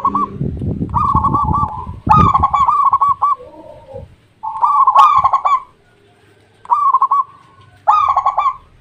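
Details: Local Indonesian zebra dove repeating rolling, bubbly coo phrases several times. A few lower, hollow notes follow, and a rustling, clattering noise is heard at the start.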